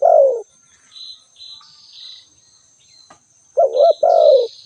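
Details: Spotted dove calling: low, hollow cooing phrases, a single coo then a paired coo, with thin high chirps of other small birds and a steady high-pitched whine in the background.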